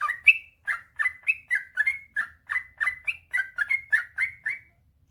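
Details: Yellow-vented bulbul (trucukan) in lively gacor song, a long rolling ropel panjang style used to rouse lazy birds: a steady run of short bubbly whistled notes, slightly rising and falling, about three per second, with little background.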